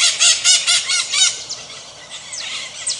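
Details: Maritaca parrot calls from Brazil: a fast series of strident, raspy squawks in quick succession, trailing off into quieter distant screeches and thin high sweeps.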